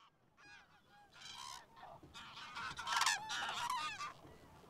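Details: Flock of about 200–300 cranes feeding on a stubble maize field in evening light at Darß, Mecklenburg-Vorpommern, during migration, calling loudly over one another with rolling, trumpeting notes in overlapping bursts several times a second.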